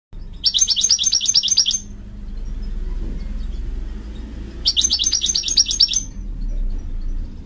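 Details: Male American goldfinch calling: two bursts of fast, twittering, high chirps, each about a second and a half long with six or seven notes, separated by a pause, over a low background rumble.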